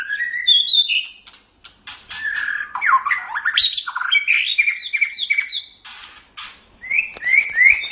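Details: Caged white-rumped shama in full song for training other birds: a fast, varied stream of whistles, sweeping slurs and sharp clicks with brief pauses, closing with repeated bright upslurred notes.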